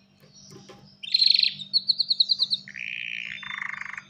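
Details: Breeding-ready male canary calling a female to mate, singing a fast sequence of bright whistled notes, a series of about nine sharp repeated chips, then two lower buzzing rolls; faint constant hum behind.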